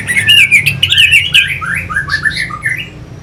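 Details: Orange-headed thrush, a caged bird, song used to rouse fighting birds; continuous rich warbling of slurred, rising and falling whistled notes with a harsher start, steady low hum behind.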